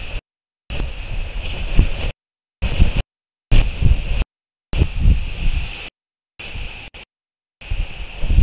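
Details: Gusty wind buffets the microphone near a royal albatross chick site in New Zealand, with a steady low rumble, a faint constant hum and repeated brief dropouts; no animal calls are heard.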